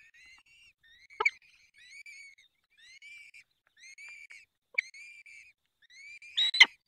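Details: At a peregrine falcon nest, Barycz Valley, Poland, evening of 23 April 2020 during the fifth feeding: about seven clear, upslurred whistled calls with bright overtones, spaced under a second apart, plus several sharp knocks.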